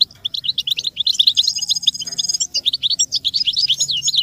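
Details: A goldfinch sings a fast, bright run of tinkling twitters and high chirps, with a brief sustained twangy trill partway through; a song recording meant for teaching chicks and stimulating songbirds.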